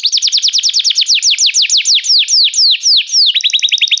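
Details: Canary singing restlessly, a run of crisp descending whistled notes slowing gradually, ending in a fast, level rolling trill.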